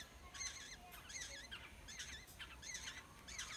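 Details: Nestling Black-hooded orioles begging while fed by parent birds in a village nest: wavering, slightly nasal squeaky notes in quick clusters, repeated about every half second over a low outdoor hiss.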